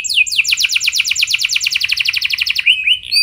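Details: Rolling canary song, a lure for other canaries: a dense, even trill of short repeated notes at about ten per second, ending in a few slurred whistles.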